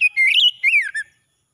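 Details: Short morning phrase from an oriental magpie-robin: two bursts of sweet, warbling whistles, the second sliding downward, finished by a brief low note, all within about one second.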